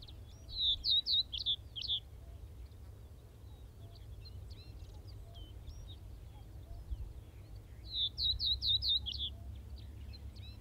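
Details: Common Reed Bunting, Wakka Primeval Flower Garden, Hokkaido, Japan: a high phrase of four to five ringing chirps repeated after roughly seven seconds, with faint scattered notes in between and a steady low rumble behind.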